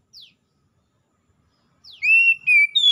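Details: Oriental magpie-robin, from wild and domestic birds answering each other: a thin descending slur, silence, another downslur, then a sustained clear whistle breaking into a higher, fluty note.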